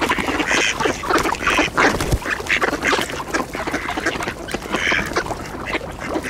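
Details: Mallard ducks quacking for position during a feeding frenzy on scattered bird seed at a thawing winter ice hole, alongside Eurasian coots and swans: rapid, overlapping bursts of harsh, nasal calls with splashing and commotion.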